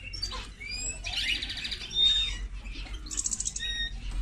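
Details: Hybrid of linnet and canary delivering scattered high chirps, then a buzzy trill, a thin drawn-out whistle and a second rattling burst near the end.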